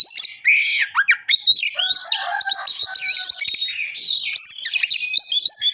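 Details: Oriental magpie-robin singing in continuous rich song: varied high whistles, rapid trills and twisting phrases, some mimic-like, flowing without pause; one steady lower whistle appears briefly.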